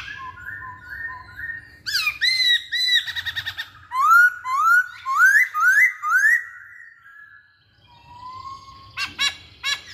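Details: Lively masked laughingthrush song used as a lure: repeated rising whistles, a dense warbled stretch, then loud upward-sweeping whistled notes about twice a second, a quiet gap, and closing sharp chips.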